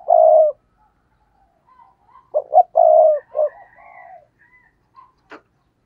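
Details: Spotted dove acting as a decoy, cooing gù cà lăm style to provoke wild doves: a long deep coo, then stuttered hoots and another sustained coo, softer trailing notes and a sharp click at the end.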